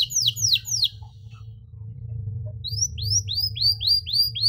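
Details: Canary in full song with long, rich 'cengkok mewah' phrasing, played for young canaries learning to sing: three sharply falling chirps, a pause over low hum, then a steady run of downward-swept notes about four per second.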